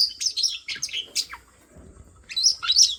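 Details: Small bird chirps rapidly, giving quick high downslurred and twittering notes in two clusters with a short gap between them, over a faint low background hum.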